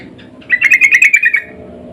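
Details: Sooty-headed bulbul lure call, meant to draw other bulbuls into answering: one loud, fast burst of about nine harsh, bright chattering notes lasting under a second, over faint low background hum.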